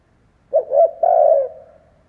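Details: A single cooing phrase from a spotted dove used as a lure for wild doves: two brief hollow notes running into a sustained, gently falling coo that fades out. No other sounds.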